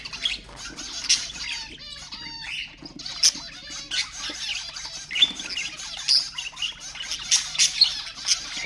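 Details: Budgie sounds for stimulating pet budgerigars: soft high twittering and clicks, a short pulsed trill early on, then denser chatter with sharp chirps.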